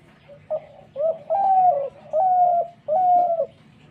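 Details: A dove repeats its coo phrase: a soft short opening note followed by three long, level, hollow coos that drop slightly at their ends, roughly one each second.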